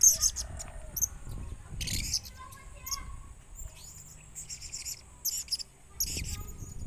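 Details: About one year old, a young tame blue-crowned hanging parrot kept as a pet since a chick utters sharp, very high-pitched chirps and short trills in scattered bursts, with soft low background noise between calls.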